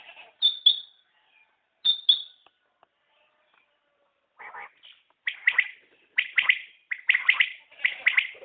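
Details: Common quail calls: a few thin high whistled notes and a quiet pause, then a run of rapid three-note liquid phrases repeated about once a second.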